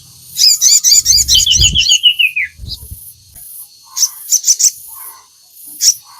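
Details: Crimson sunbird (sogon) in lively song, played to prompt captive birds to sing. A rapid trill of high notes falls in pitch over two seconds, then scattered sharp chirps follow over a low background murmur.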